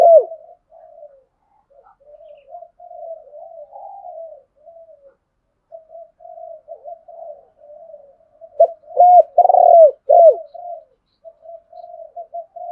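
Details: Male and female spotted doves cooing to provoke a rival to fight: a long run of soft, low muttered coos, then a loud phrase of clear coos near the end.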